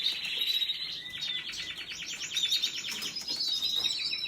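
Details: Canary opens with a sustained whistled note, then a fast rattling trill of evenly spaced pulses, followed by more sweeping chirps.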